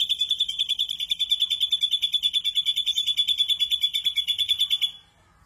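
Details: Continuous high, buzzy pulsed trill from an ashy drongo in the rough 'tembakan kasar' style, beating about three times a second for nearly five seconds before stopping abruptly into silence.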